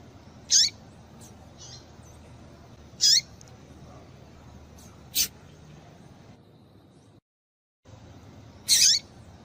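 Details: Female double-collared seedeater call meant to make males sing: four sharp high chirps spread over about nine seconds, with fainter ticks between and a brief dead-silent break.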